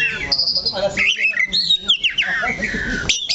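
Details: Caged oriental magpie-robin on its perch delivering a short burst of song: a high held whistle, sliding descending notes and chattery fragments, ending with a sharp rising note.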